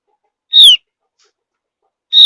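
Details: Javan grey-throated white-eye, a high mountain forest bird whose whistle is said to draw other birds into singing: a sharp, descending whistled note, then silence, then a second note cut off at the end.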